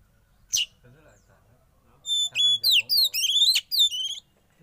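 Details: Young wild-caught Oriental magpie-robin, caged, during a sauna therapy session: after a brief sharp note and a quiet murmur, a burst of loud, high whistled notes with quick upward and downward slurs, delivered in a rapid, choppy run.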